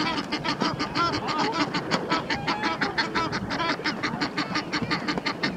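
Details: Two male Egyptian geese wrestling on the Round Pond as a mate calls out encouragement; dense run of hoarse, rapid honks and some splashing-like noise beneath.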